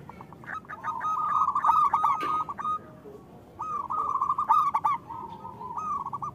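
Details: Cooing song of local zebra doves, kept as a lure for reluctant birds. Two long phrases of fast, bubbling, trilled coos, separated by a brief lull, with other doves faintly joining.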